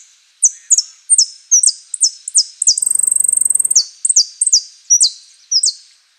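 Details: Saffron finch song in the "Osama" style (prio, golpe y pitada): a brisk run of high, sharp falling notes leads into a rapid rattling trill midway, followed by further paired downslurred notes. The recording is quiet otherwise.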